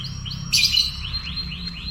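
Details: Yellow canary singing in the morning: a run of short upward-sweeping high chirps, broken by a loud dense burst of bright notes, then more rising chirps repeating about every quarter second. Faint low hum beneath.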